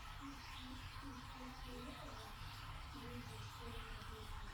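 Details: A Malayalam-talking African grey parrot mimics human speech in short, voice-like phrases, calling to be let out of its cage, over a low indoor hum.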